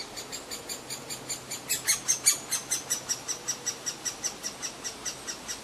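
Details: Great spotted woodpecker chick noisily demanding food while a parent feeds it, in the grounds of Rowden's House. Rapid, high, squeaky notes repeat about four times a second, peaking in loudness midway, over a faint low hum.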